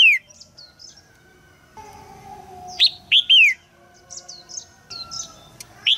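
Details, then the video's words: Caged female red-whiskered bulbul calling to stimulate a young male to sing; loud sharp descending chirps near 3 seconds, with faint high twittering and a steady low hum through the background. "นกหัวจุก birds - นกตัวเมียร้องเจี๊ยก ๆ ในกรงเพื่อกระตุ้นให้นกหนุ่มร้องอย่างไพเราะ"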